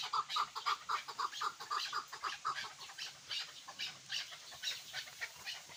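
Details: Chukar partridge calling with a quick series of short chuck notes, regular at first and fading into a noisy, hissing background.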